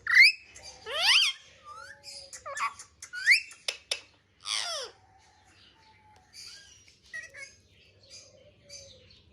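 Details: Pet parrot indoors, playing with a mobile phone, giving loud rising and falling harmonic whistles and squawky voice-like sweeps in a burst over the first five seconds, then quieter scattered chirps in a small room.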